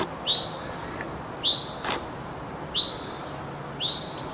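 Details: Northern mockingbird resident in a backyard Palo Verde tree, singing day and night and constantly changing phrases; here a loud rising whistled upslur repeated four times at roughly one-second intervals.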